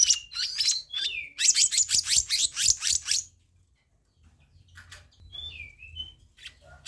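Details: Fast series of about a dozen harsh, evenly pulsed chattering notes from a black-naped monarch, a master and lure recording, followed by a quiet spell and a few soft whistled slurs.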